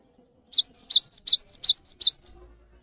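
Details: Cinereous tit singing prolifically, kept as a master singer for other birds to learn from: a quick phrase of about ten sharp notes, V-shaped whistled sweeps alternating with short high pips, over under two seconds.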